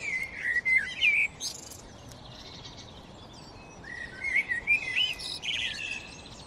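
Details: Sparrow singing: bright warbled and whistled phrases near the start, a pause, then another burst of twittering, rising notes, with other faint high chirps behind.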